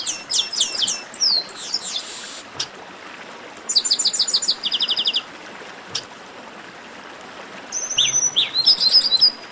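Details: Chestnut-capped blackbird song: rapid repeated high chirps opening, fast even trills of clipped notes in the middle, and a buzzy note with slurred whistles at the close.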